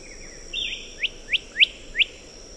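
A black-headed whistler gives four sharp, rising whistled notes, about one every third of a second, after a brief higher whistle, over a steady high insect hum.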